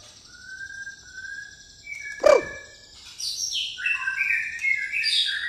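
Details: White-rumped shama, pastol type, caged, singing the gereja tarung style: long level whistles first, then a sharp knock, followed by a fast cascade of bright descending whistles and trills.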